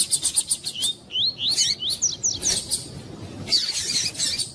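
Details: Double-collared seedeater in captivity, singing its "tui tui" song used to train and warm up other birds: rapid chains of rising, swooping whistled notes, then high chatter and rustling.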